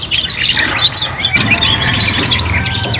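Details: Canary juveniles singing as a group, a short burst of bright twittering and curling whistled notes, busy overlapping phrases, with low background hum.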